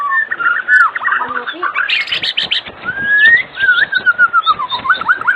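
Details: Afternoon lure song of a white-rumped shama meant to make other shamas sing: fluted whistles, a burst of rapid chattering notes, then long smooth whistled glides and short looping phrases.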